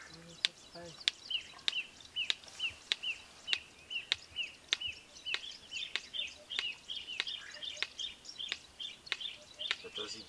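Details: Red-crested korhaan song recorded in Kruger Park, South Africa: sharp clicks repeated roughly every half second, each followed by a short high whistled note, over a steady hiss of outdoor background noise.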